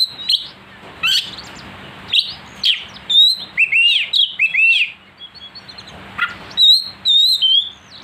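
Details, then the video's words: Aggressive song of an oriental magpie-robin stirred up by a provoking recording: bright whistled notes, swooping slurred phrases and sharp chips in irregular bursts separated by brief silences. "pancingan Kacer agar emosi,pastol gacor suara pedas"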